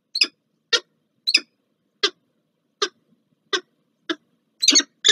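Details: Peregrine falcons Franek and Giga meeting at the Palace of Culture and Science, Warsaw, 30 August 2024: short, harsh, broadband calls, about nine in five seconds, unevenly paced, last few closer together.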